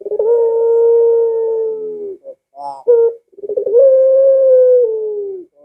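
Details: Barbary dove call, used to lure doves kept at home into calling back: a rolling stuttered start swells into a long, steady, low coo lasting about two seconds, a short clipped note, then another drawn-out coo.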